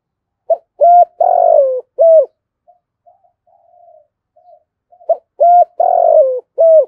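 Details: Spotted dove repeating a low, mellow phrase of four or five coos, the middle note drawn out and sliding down, with soft murmured notes between phrases; recording of male and female doves calling.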